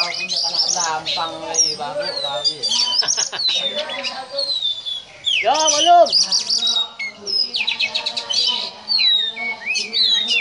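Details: Oriental magpie-robin (kacer) in cobra-like ngobra style: rattling trills and sharp ticks, then a loud slurred note near the middle, followed by sweeping high whistles and repeated chattering phrases.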